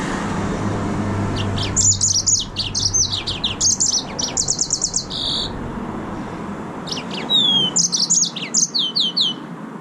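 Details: Yellow-fronted canary, Serinus mozambicus, singing: bright high chirps and whistled notes in bursts, a pause midway, then a second phrase with a clear descending whistle and repeated slurred notes; low hum underneath.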